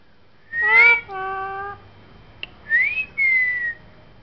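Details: Young talking parrot, seven months old, kept indoors: a rich, voice-like tonal note falling into a steady held tone, a faint click, then two clean whistles, one rising and one gently falling.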